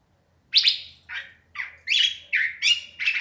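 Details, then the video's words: Curve-billed thrasher singing as night falls, opening after a short silence with a string of separate phrases, slurred and scratchy, some sweeping down, some rising, spaced about half a second apart. "huiclacoche cantando al anocheser"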